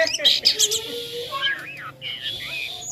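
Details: Jalak kapas starling singing in a toy-like manner. Bright chirps open the phrase, followed by a drawn-out low whistle, rising and falling wavering notes, and then a high steady whistle.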